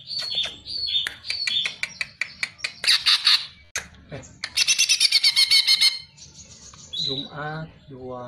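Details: Greater green leafbird singing for songbird-keeper tutoring: clear whistled notes alternating with sharp chips, then a burst of fast, buzzy, rattling trills and more slurred whistles.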